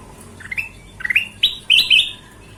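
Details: Golden-vented bulbul singing a chatty, lively song: a run of clear whistled notes, each sweeping upward, in four quick phrases that grow louder and higher toward the end, with faint background hiss.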